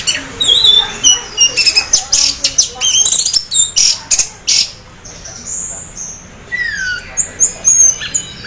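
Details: Orange-headed thrush half in breeding condition delivering a lively song meant to prompt other thrushes to sing; dense rapid chattering and clicking notes, then a pause and several descending whistled slurs.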